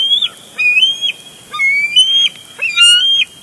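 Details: Bald eagles at a nest at Big Bear Lake, 23 June 2022, on a live nest camera as one bird tackles its mate for a big fish: thin, high whistled notes, rising and then dropping, in an irregular chatter.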